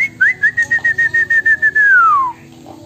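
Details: Magpie robin song mixed with imitated Chinese hwamei and wambi phrases, learned for lack of proper tutor birds: a steady string of about ten evenly spaced clear whistles at one pitch, ending in a long whistle sliding downward.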